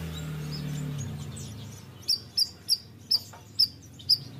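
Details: A Bayeman bird singing actively: six sharp, high chirps repeated about twice a second, each a quick thin note, over a low rumbling hum at the start.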